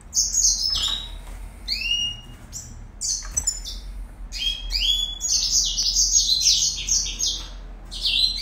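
Red siskin singing a fast, high twittering song of buzzy trills and chirps, with quick rising and falling notes run together.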